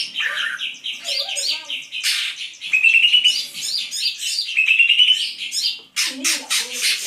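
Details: A greater green leafbird in 'on fire' form pours out dense, fast chattering song. Two clear rising whistled runs cut through the tumble of sharp chirps and twitters, and a brief pause comes near the end.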